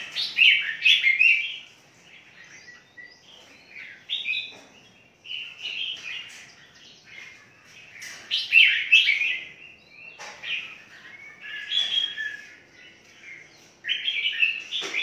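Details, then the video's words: Red-whiskered bulbul singing in a big captive-breeding aviary, Phetchaburi province; lively, tumbling chirpy phrases pour out almost without break, rising and falling notes in clusters, several birds seemingly overlapping. "KANDANG PENANGKARAN BURUNG MERBAH JAMBUL KUTILANG JAMBUL TERBESAR"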